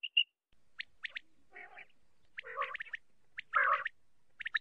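Common quail giving sharp three-note 'wet-my-lips' phrases, each after a raspy, growling burst, repeated about every one to two seconds.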